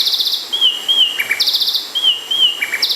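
Bay wren song of clear, slightly wavering whistles alternating with bright buzzy bursts, with two phrases in three seconds against quiet background.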